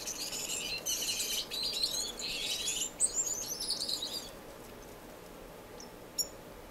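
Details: Finches singing in an indoor, non-breeding community aviary in Edmonton, Canada, in March: dense high buzzy chatter and twittering for four seconds, then quieter with a few isolated sharp chirps.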